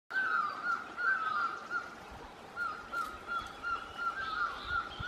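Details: Orange-headed thrush at Sattal giving short, slurred whistled notes at mid pitch, about three a second with brief pauses, over a steady background hiss.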